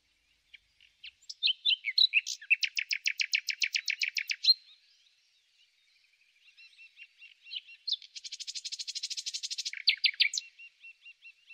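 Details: Common nightingale singing in spring: a few scattered notes, then a fast run of repeated rasping notes, a pause, and a buzzy trilled burst closing on sharp chipping notes; no other sounds.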